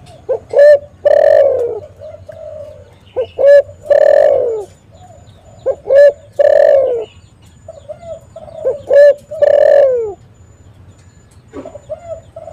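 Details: Spotted dove calling persistently, a recording used as a lure to prompt other doves to call and to trap them; low mellow coos in short grouped phrases, each ending in a drawn-out rolling note, repeated about every three seconds over a faint low hum.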